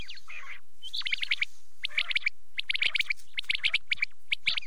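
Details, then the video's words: Quail calls recorded for night use: a low buzzy phrase, then fast runs of crisp high chirps repeated in uneven clusters over a quiet hiss. "rat k liye batair ki awaz | quail calling"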